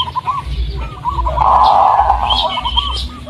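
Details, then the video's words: Local Indonesian zebra dove of the Blorok Madu type, used to lure house doves into calling. Its voice is called sweet and bassy. Soft mid-pitched coos run into a sustained rolling warble, with a low rumble behind. "pancingan suara perkutut BLOROK MADU"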